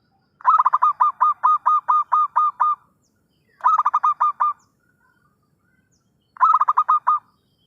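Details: Zebra dove lure call used for trapping, given vigorously: three bursts of rapid, pulsed, rolling cooing notes, the first a long run of about ten beats, then two shorter runs, with silence between and no other sounds.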